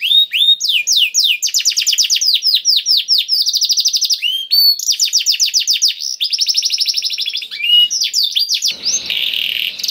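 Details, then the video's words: Long, varied canary song in the cengkok istimewa style, played to coax canaries into song: successive rolling trills at changing speeds, separated by brief gaps, ending in a burst of harsh, noisy sound. "KENARI GACOR CENGKOK ISTIMEWA #235 || VOICE OF CANARY"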